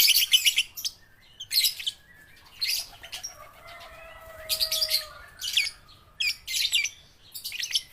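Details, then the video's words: Baby and balibu lovebirds, young birds used to prompt lazy lovebirds to sing; short bursts of scratchy high chirping separated by pauses, with faint thin whistles in between. "pancingan lovebird balibu - Lovebird paud belajar bunyi"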